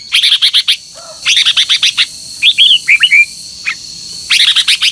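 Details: Competitive morning song of a red-whiskered bulbul for training birds: rapid, evenly spaced chirpy notes in short runs, a few drawn-out slurred whistles in the middle, then another quick run, with a faint continuous high whine.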